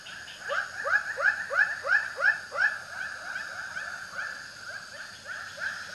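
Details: White-breasted waterhen (ruak-ruak) repeating strong, rising, throaty notes about three times a second, peaking early in the run then fading to a softer continuing series.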